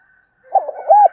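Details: Brief fragment of a spotted dove's calling coo, used to attract wild doves: a few soft low coos ending in a slightly longer drawn note.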